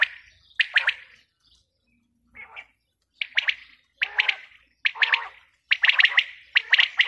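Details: A female quail gives clipped, bright two- and three-note phrases. They start spaced out with one softer, muffled phrase, then repeat faster toward the end, about once a second.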